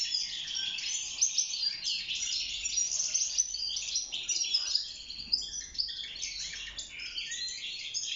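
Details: Caged European goldfinch singing for mating and nest building. A lively, tumbling jumble of high tinkling notes and short buzzy trills pours out continuously, with the loudest phrases near the middle.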